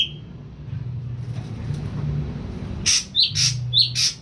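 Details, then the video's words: A young caged ashy drongo, taken from the wild three weeks earlier and now eating only pellets, starts to call. Four or five quick, high, clipped chirps come after a long stretch of low background hum. "SRIGUNTING ABU BAHAN 3 MINGGU PUR TOTAL DAN MULAI BERANI BUNYI"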